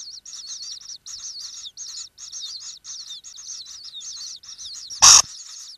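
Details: Common kingfisher recorded inside its nesting burrow: rapid series of high, thin, wavering chirps in short bursts with brief gaps, ending with one loud sharp broadband knock near the end.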